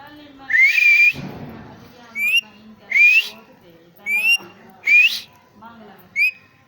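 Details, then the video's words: Pet talking parrot whistling: loud, clear, rising whistles, each under half a second, repeated about once a second with softer whistled notes between them. Faint voices and a brief rustle are heard indoors. "Parrot Talkingparrot"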